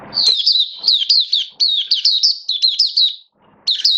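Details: Oriental white-eye (mata puteh), a caged hobby songbird in build-up form, 19 September 2022: loud, high, fast warbling of looping whistled slurs, one long phrase, then a short pause and a fresh start.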